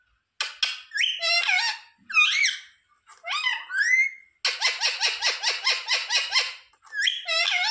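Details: Talking rose-ringed parakeet said to speak "sita ram", indoors: raspy, speech-like syllables with sliding pitch, then a quick run of about eight evenly repeated harsh notes, followed by another squawked phrase.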